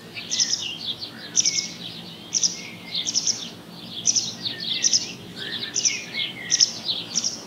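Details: Little owl (Athene noctua) on 30 June giving short, harsh, hissing high-pitched bursts, repeated about once or twice a second over a quiet background.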